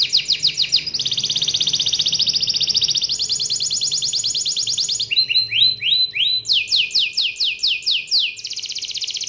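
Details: Domestic canary singing a lure song meant to set other canaries singing: long rapid rolling trills that shift from one high repeated note type to another, with a short burst of swooping notes midway.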